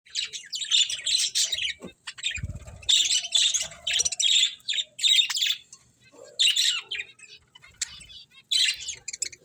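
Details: Budgerigars chirping: bright, scratchy high chirps and warbling chatter in clusters of about a second, separated by short pauses, with a brief low thump early on.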